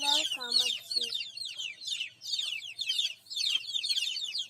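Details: Baby chicks chirping: a dense chorus of high, quick, downward-slurred peeps, overlapping continuously, with a few lower harmonic calls at the start.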